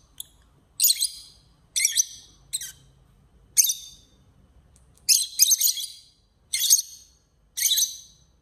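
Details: Lovebirds arguing: short, sharp, high-pitched squeaky chirps in bursts, roughly one burst per second with some doubled notes, against a quiet background.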